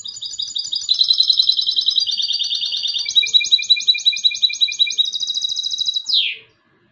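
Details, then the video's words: Singing goldfinch hybrid delivers a fast, ringing song of rapidly repeated high syllables, switching between trilled phrases every second or so, closing with a sharp downward slurred note. "UN RATITO DE CANTO DE MIXTO DEL JILGUERO ** تغريد هجين الحسون"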